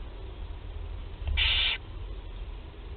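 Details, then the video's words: A single harsh, breathy hiss of about half a second from barn owl chicks at their first feeding, Théding, 8 July 2020, amid quiet low rumble. "1er nourrissage - 08/07/2020 - Les Chouettes Effraies de Théding"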